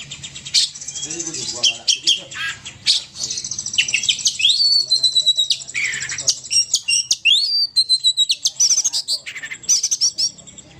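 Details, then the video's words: Poci bird calls used as a lure: dense, high twittering chirps with rapid repeated notes and sweeping whistles that rise and fall, almost continuous for the whole stretch, plus a faint low hum beneath. "suara pikat burung poci"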